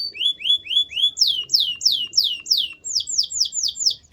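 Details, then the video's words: Singing canary: rising whistled notes followed by a series of loud, clear downward-slurred whistles repeated about three times a second, then quicker falling notes. "Your Canary WON'T STOP SINGING After Hearing This!"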